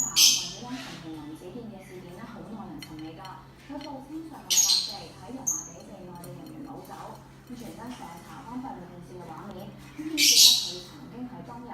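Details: Cockatiel (Nymphicus hollandicus) in the morning giving loud, harsh screeching calls in short bursts, with quieter talking in the background.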